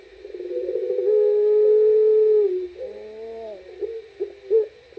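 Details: Puter pelung turtle dove calling at night: a long, loud, drawn-out cooing note held for about a second and a half, then softer wavering coos and short hooting notes in a quiet background.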